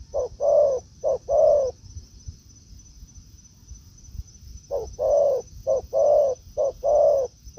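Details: Spotted dove in the forest facing a decoy. Two short-long coo phrases, a silent stretch of about three seconds, then a quicker run of paired coos. A thin constant whine sits above them.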